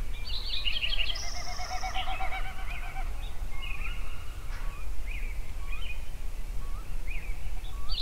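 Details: Sunrise songbirds in Yellowstone: an opening high buzzy trill and fast repeated notes, then sparse upward-slurred chirps spaced about a second apart, over low steady rumble.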